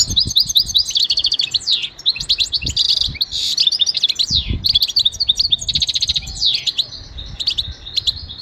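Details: Goldfinch motivational song: a long, continuous stream of rapid high twitters, buzzy trills and downward slurred notes, loud and dense throughout, with some low knocks beneath.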